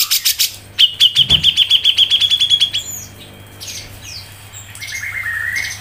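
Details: Grey-cheeked bulbul, ngepik song recorded to tutor songbirds: a fast series of sharp clicks with a bright level trill over them, then quieter scratchy notes and a final rising slurred whistle.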